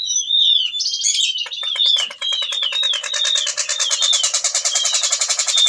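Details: Whistling thrush in breeding condition calling a female; clear downward-slurred whistles repeated about every half second over a loud, fast, continuous rattling buzz that fills most of the clip.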